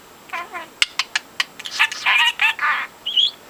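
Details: Four-month-old pet budgie imitating speech: a run of clipped, clicky syllables and buzzy voice-like bursts, ending in a short rising whistle.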